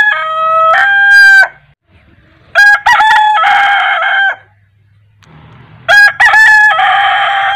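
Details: Morning crowing of a rooster in Asia. The tail of one crow fades out, then a full crow follows: brief stuttering syllables leading into a sustained, rich, buzzy note. A third crow begins near the end, separated by quiet gaps.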